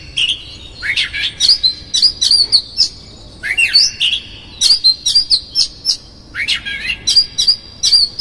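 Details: Oriental magpie-robin giving a 'konslet' song with rough fill-ins as a lure to provoke another magpie-robin: sweeping downslurred whistles followed by rapid runs of sharp clicks and squeaks, in four phrases separated by brief pauses.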